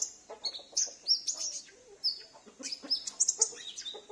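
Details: Captive sunbird at home whose singing serves to pull in wild sunbirds; rapid high twitters and sharp whistled notes, run together in a lively, chattering stream.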